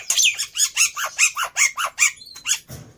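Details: A black-winged myna, played to prompt young birds to start singing and keep going, gives a fast run of about ten harsh, squeaky notes, each with a downward-slurring tail, evenly spaced about four per second.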